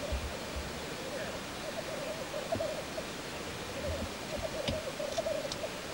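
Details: Displaying black grouse cock at the lek. A steady, low bubbling coo rolls on without a break, with a faint brief hiss early on and scattered clicks near the end.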